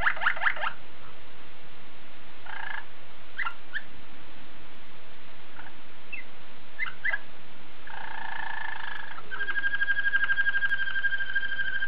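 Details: Belgian Waterslager canary singing: scattered bright chirped notes, then a steady held whistled tone with harmonics lasting several seconds, over a constant loud hiss.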